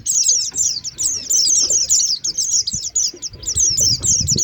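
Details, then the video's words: Oriental white-eye lure recording from 2023, used to draw birds down: dense, continuous high-pitched twittering chirps, overlapping and rapid, with brief dips and faint low rustling underneath. "Suara pikat pleci"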